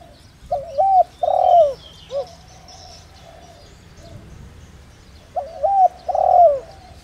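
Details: Decoy spotted dove with a 'đồng rặc' style call that lures wild birds. Two repeated low cooing phrases about five seconds apart, each a wavering coo, a drawn-out swelling coo and a short final note, with faint chirps behind.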